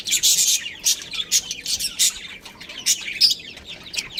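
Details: A breeding pair of budgerigars chattering in quick, harsh chirps and squeaky warbles, loud strong bursts at the start easing into lighter, more scattered tweets.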